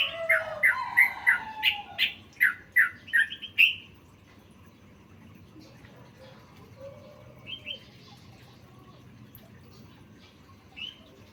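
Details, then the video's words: Masteran recording of a sooty-headed bulbul packed with fill phrases: a rapid burst of varied chirps, short whistles and chattering notes for about four seconds, then near silence broken by a few scattered soft calls. "Masteran trucukan full isian"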